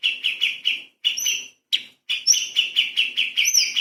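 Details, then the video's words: Light-vented bulbul in 'tembakan' style for magpie-robin training: rhythmic chirps about five per second in short runs, with thin rising whistles laid over them. "CUCAK CUNGKOK SUPER GACOR ! Full Isian TEMBAKAN ISTIMEWA BURUNG KECIL Untuk Masteran Murai Kacer"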